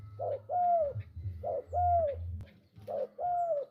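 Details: Spotted dove calling vigorously: three cooing phrases, each a soft short note followed by a longer drawn-out, slightly falling coo, repeated about every 1.3 seconds over a steady low hum.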